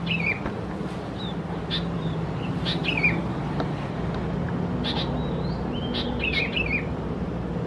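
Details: Young Sooty-headed bulbuls of subspecies thais in Khao Yoi, Phetchaburi province, Thailand, June: scattered sharp chirps and slurred notes, some clustered in quick bursts, over a constant low hum.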